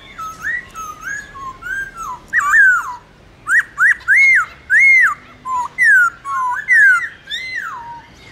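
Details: Captive-training recording of a Black-throated laughingthrush in morning competitive 'forest voice' song: rich whistled phrases, mostly arched notes, in quick series separated by a brief pause, loud and clear against a quiet background.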